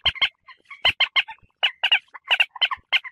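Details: Common moorhen call played to attract birds for hunting: short, sharp clucking notes in pairs and small clusters, spaced irregularly, with faint softer notes between.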